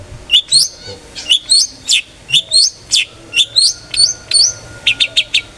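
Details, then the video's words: Long-tailed shrike in loud, clear 'ngeplong' gacor song, used as a lure to make other shrikes sing: sharp high chirps and whistled slurs repeated about once a second, with a few quick clipped notes near the end. "cendet gacor NGEPLONG sangat ampuh buat PANCINGAN cendet agar RAJIN BUNYI"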